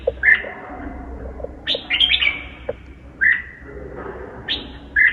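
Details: Red-whiskered bulbul delivering a highly convoluted song of brief, loud, whistled notes and quick slurred phrases, repeated in separate bursts every second or so, with a constant low hum beneath.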